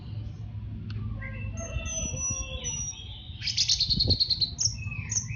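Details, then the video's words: Orange-headed thrush master song for training caged birds to sing; varied clear whistles and sliding notes, some high and thin, with a louder rapid warbled phrase near the end, over a steady low hum. "Masteran Anis Merah Cepat Teler"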